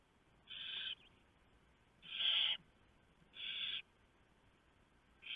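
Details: Barn owl nest in November, owlets being fed after the male's mouse delivery: four rough hissing screeches about a second apart, the second loudest.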